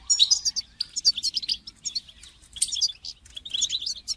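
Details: Goldfinch song meant to spur a caged goldfinch into singing, a fast run of liquid twittering and buzzy trills in dense bursts, with short pauses near one and three seconds.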